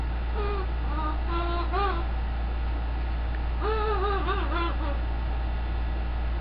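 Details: Pet green-winged macaw singing indoors: a string of tonal, wavering, melodic notes in two phrases, with rising and falling pitch glides, over a steady low hum.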